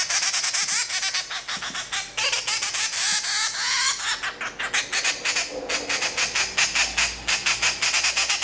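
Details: A two-month-old grey treepie chick, found by a road and hand-reared, begging while being hand-fed. Rapid, loud, harsh squawks in a continuous stream, several per second.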